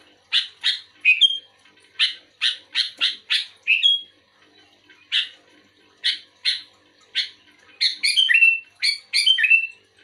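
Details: Lively sooty-headed bulbul responding to another bulbul: quick series of harsh chirps, some ending in short whistles, a pause, then a closing flurry of sliding whistled notes.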